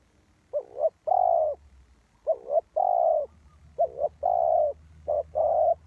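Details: Decoy spotted dove for bird trapping, four rhythmic coo phrases, each a quick double note then a long even croon, repeated roughly every one and a half seconds.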